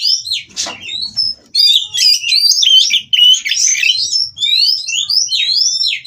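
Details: Oriental magpie-robin from a captive breeding farm in Kroya, Indonesia, singing while mating to spur rivals. A harsh burst opens, then fast, tumbling whistles and slurred upsweeps follow in dense, unbroken runs.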